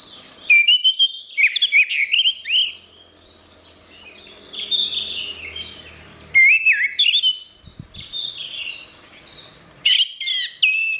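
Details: Repeated bouts of loud, jumbled whistles and sharp clicks from an orange-headed thrush, recorded as therapy for silent birds. Softer high chirping chatter fills the gaps, and there is a brief low thump near the eighth second.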